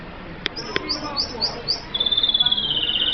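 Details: F1 red siskin from Colombia: two clicks, then a string of short rising chirps, and a steady, slightly descending buzzy trill to the end.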